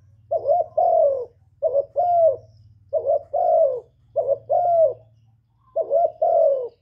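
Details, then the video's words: Spotted dove from Cà Mau, calling to excite decoy and wild doves in trapping. Five repeated coo phrases, each a short note followed by a longer, wavering, falling one, roughly every 1.3 seconds, over a soft low hum. "TIẾNG CHIM KÍCH MỒI KÍCH BỔI CỰC HAY CỰC CHUẨN, CU GÁY CÀ MAU, GÁC CU GÁY, TIẾNG CHIM KHÔNG TẠP ÂM"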